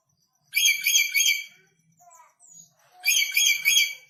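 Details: Newly arrived red lory from North Maluku, still fierce, screeching in two loud raspy bursts of rapidly repeated grating notes, with soft faint sounds between them.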